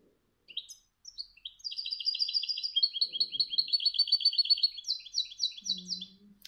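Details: European goldfinch singing a fast, tinkling run of bright repeated notes, ending in ringing bell-like trills, the "cascabel" (bell) notes of goldfinch song code, recognised by their tone; a brief low hum near the end.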